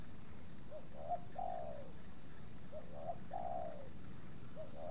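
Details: Spotted dove (tekukur) calling where two wild doves come to a captive decoy bird, with mild resistance from the second. Two mellow coo phrases of short notes ending in a long sliding coo, with a third phrase starting, against steady background hiss.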